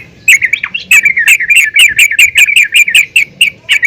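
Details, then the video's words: Female yellow-vented bulbul calling other bulbuls: a loud, steady string of quick, bright chirping notes repeated about four to five times a second. "PANGGILAN BURUNG TRUCUKAN BETINA GACOR||MEMANGGIL TRUCUKAN LAIN AGAR RAJIN BUNYI"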